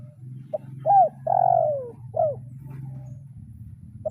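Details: Spotted dove trained as a kuk 0-1 style decoy, calling a rival: a short note, an arched coo, a long falling coo and a clipped final note, followed by a loud low rumbling hum.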